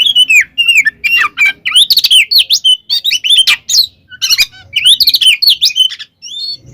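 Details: Fighting song of a caged Oriental magpie-robin meant to make other males angry: rapid sweeping whistles, slurred upward and downward notes mixed with scratchy rattles, delivered almost without pause, faint low murmur early on.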